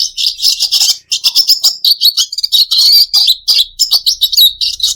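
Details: Red siskin song used as a lure to make pet birds sing: a fast, continuous run of high twittering, buzzy notes and trills with hardly a pause, close and slightly roomy.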